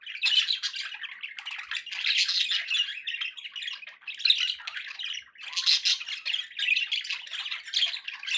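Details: A group of pet budgerigars produces long stretches of harsh squawks and warbling twitter, high and buzzy, in waves of louder bursts separated by short dips.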